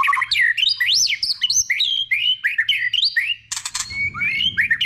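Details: White-rumped shama in many-voiced song, used to excite other shamas: loud swooping whistles that rise and fall sharply in quick succession, a brief harsh burst, then more wavering whistles.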